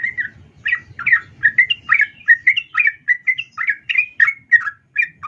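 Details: A female sooty-headed bulbul calls to a male, used as a lure to make males sing. Quick, twittering notes, roughly three per second, varying slightly in pitch, over a faint low murmur at the start.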